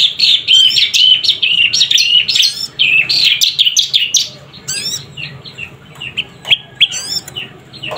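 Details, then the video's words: Juvenile prinia, called prenjak lumut, giving a dense run of chattering, rising chirps that tumbles into sparser single notes, joined by a few high sharp calls. "Suara anakan burung prenjak lumut"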